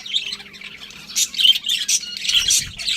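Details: Budgerigars give sharp high squawky chirps in short separate bursts, getting louder toward the end.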